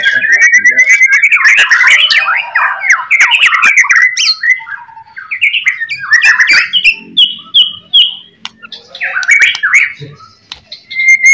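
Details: White-rumped shama song used as a lure for other shamas: an intense run of varied warbles and slurred whistles, breaking into shorter separated phrases with short gaps, then a final burst of fast notes.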